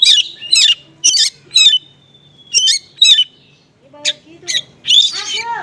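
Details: Oriental magpie-robin konslet lure with small-bird material, meant to get other magpie-robins to answer. Loud bursts of high, scratchy chirps arrive in pairs about twice a second, joined by a thin held whistle and lower descending notes at the end.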